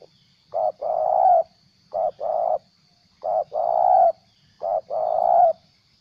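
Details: Captive decoy spotted dove, moulting its tail, gives its plain stuttering call. Each phrase is a short low coo followed by a longer, steady, hollow coo. Four phrases come about every 1.4 seconds, with a faint high hiss behind them.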